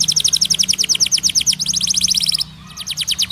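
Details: White canary singing a rapid rattling trill of short, high, evenly spaced notes, briefly pausing before resuming the trill.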